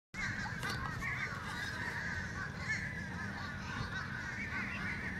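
Several Fish Crows give nasal, overlapping caws that blend into a steady clamor, over a low rumbling background.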